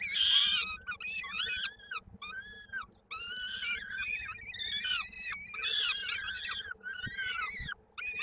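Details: Peregrine falcon chick at a Koszalin nest in Poland, 16 May 2022, during a feeding with its foot trapped in a beak. Continuous hoarse, wavering cries with choppy arched notes and faint knocks.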